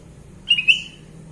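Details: Sooty-headed bulbul (kutilang emas) giving one short double whistled note, clear and slightly rising, over a low background hum.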